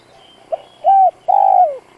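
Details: Decoy spotted dove used to lure wild birds into answering. A soft pickup note leads into a steady coo and then a longer, drawn-out coo that slides downward. A final note starts just as the sound ends.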